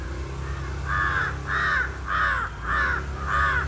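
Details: Incessant crow calling, five loud rasping caws at even intervals of about seventy hundredths of a second, over a low traffic-like rumble.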